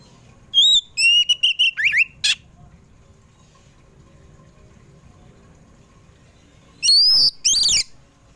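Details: Oriental magpie-robin (kacer poci), afternoon song for luring pet birds to sing: a burst of whistles and swooping notes with a harsh rasp, a long quiet pause, then loud whistled phrases return near the end.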